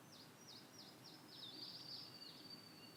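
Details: In a familiar satoyama landscape, an ashy minivet gives a rapid run of high, downslurred notes, each dropping in pitch, about four per second, then a brief rattling flourish and a thin sustained tail over quiet background hiss.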